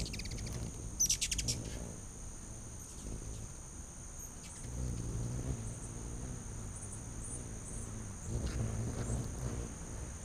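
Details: Hummingbirds in a feeding frenzy on a back deck in late August 2019, giving a quick burst of sharp high chips near the start over a low buzzing wing hum, with a steady high insect drone throughout.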